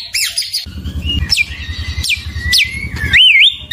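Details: White-rumped shama song: loud whistled phrases with sweeping upslurs and a wavering trill near the end, separated by short gaps, over a low steady hum.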